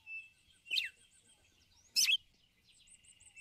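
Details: Female red-cowled cardinal calling the male with ticulau notes: two sharp chirps with falling slurs about a second apart, over a thin sustained tone and faint chirping of other birds.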